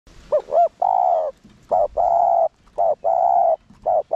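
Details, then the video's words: Spotted dove used as a decoy, cooing to goad wild males into calling fast: two quick rising-falling hoots then a long steady coo, the phrase repeated about three times with short pauses. "Chim cu gáy mồi cây Gù, Thúc giọng sát bổi kích bổi nhanh gáy/kích bổi gáy cực sung"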